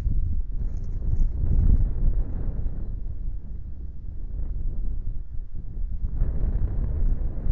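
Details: Buffeting wind rumbling against the microphone, with no animal sound heard.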